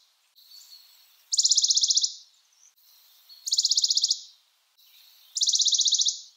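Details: Three rattling high-pitched trills from a Western Bonelli's warbler, each a quick run of a dozen or so identical notes lasting under a second, spaced about two seconds apart over a soft background hiss.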